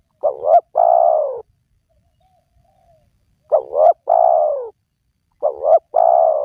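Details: Spotted dove lure call meant to get wild doves calling. Three phrases about 2.7 seconds apart. Each has two quick, throaty coo notes and then a long, drawn-out coo that falls at its end. Quiet surroundings.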